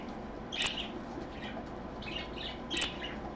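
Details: Pet parakeet recorded live on Sunday, 24 August 2014, at 3 PM, giving a few quick high chirps with softer twittering between them, set against continuous low household hum.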